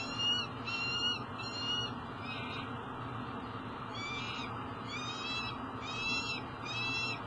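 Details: Young Peregrine falcon at a nest box on a tower at Elk River, Minnesota, on 29 July, approaching and landing, giving repeated harsh, wailing calls roughly once a second amid heavy steady mechanical noise.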